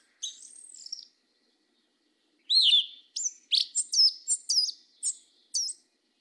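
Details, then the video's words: Sabiá-preta's southern 'mateiro' song: a thin wavering high whistle, a pause of over a second, then a quick string of about eight sharp, bright whistled notes. "SABIÁ PRETA CANTO MATEIRO DO SUL"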